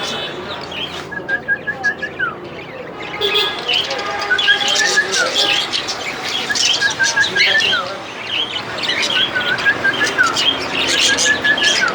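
A group of cockatiels chatter with short, repeated whistled chirps and scratchy squawks overlapping throughout.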